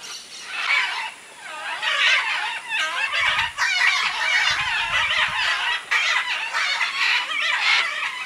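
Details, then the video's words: Crowd of macaws and other birds at a clay lick in Peru's Manu jungle, 2008; a dense, continuous chorus of overlapping harsh screeches and squawks with a few brief low thumps. "Macaw clay lick"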